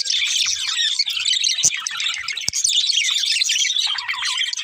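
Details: A group of budgies fills the air with busy, overlapping chirps and rapid scratchy warbling, with two brief sharp clicks partway through.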